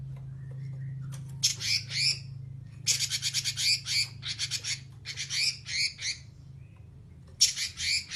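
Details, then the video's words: Oriental magpie-robin delivering long 'nyerecet' chatter: series of grating, rasp-like notes strung into fast pulsing runs of one to two seconds, several runs back to back, with a constant low hum underneath. "kicauan mantab burung robin gacor Nyerecet"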